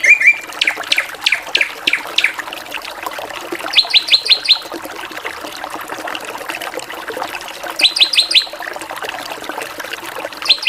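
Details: Drongo singing varied 'gacoran' phrases. Several falling whistled strokes open the clip, followed by spaced bursts of five quick, high chipping notes.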